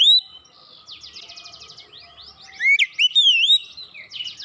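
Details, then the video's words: Oriental magpie-robin in quick song: a loud whistled slur, a buzzy rattling trill, then a run of bright swooping whistles rising and falling. "Kacer macet bunyi cepat gacor"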